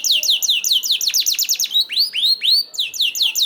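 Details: Canary singing as a prompt for other canaries to start: a fast roll of sharp downslurred notes, then three slower, broad upward-swooping whistles, then the rapid notes again.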